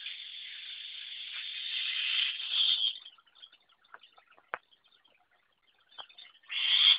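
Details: Long-tailed shrike with a still-simple song: a sustained harsh, buzzy rasp for about three seconds, then scattered faint clicks and ticks, ending in another loud rasping burst.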